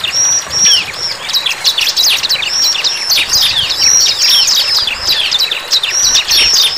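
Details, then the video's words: Bar-winged prinia singing energetically in the wild, a steady stream of high, scratchy chirps and slurred notes with a few level whistles at the start. "CIBLEK GACOR"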